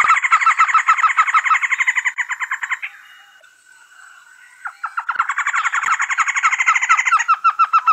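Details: A fast chatter of repeated trogon notes with a high whistling tone, then a quiet gap with faint murmuring. The rapid note series resumes.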